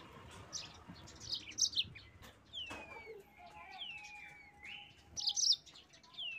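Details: Yellow-fronted canary singing to provoke rivals, somewhat quieter: scattered high chirps, several long descending whistles and a steady low whistled tone, ending with a sharp burst of bright notes.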